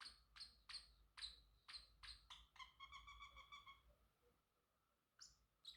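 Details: Pet male Pacific parrotlet chirping: a steady string of short, bright, high chirps about twice a second, then a buzzy, rattling note, a pause, and two final chirps.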